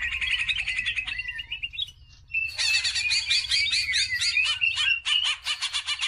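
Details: Lively song of a greater green leafbird, a lure recording for training other birds: a chattering run of notes, a brief hush near two seconds, then a louder burst of rich warbled phrases and sweeping whistles.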